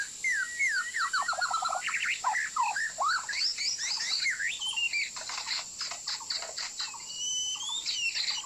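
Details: Sharp, clear, continuous song of a white-rumped shama, used as a trapping lure: dense, varied whistles, slurs and chattering clicks tumbling rapidly one after another, with a constant high whine underneath.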